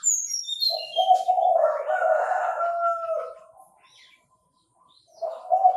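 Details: A Chinese francolin, recorded by bird trappers, gives a loud raspy call of layered notes for about two seconds. A steady low tone runs beneath it, and thin high chirps open the recording.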